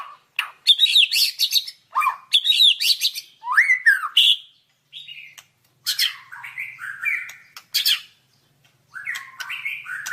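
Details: White-rumped shama, a training song recording: loud, varied bursts of quick chattering notes and swooping whistles in separated phrases, some harsh and buzzy, others melodious.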